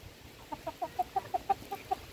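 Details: Hens being fed, giving a quick series of about nine short, evenly spaced clucks, each a clipped mid-pitched note roughly every fifth of a second, over a quiet background.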